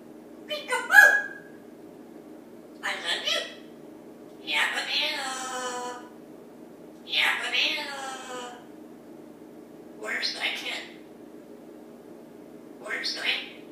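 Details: A pet African grey parrot perched in a kitchen one morning in Texas speaks in six short, human-like phrases, including an unusual "Yeah! Banana!", spread a couple of seconds apart over a steady low hum; iPad recording.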